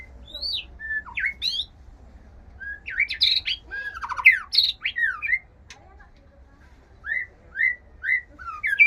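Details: White-rumped shama in breeding condition, a captive bird kept indoors, singing a varied song of loud whistled notes, sweeping slurs and rapid trills, with a run of short rising whistles repeated near the end.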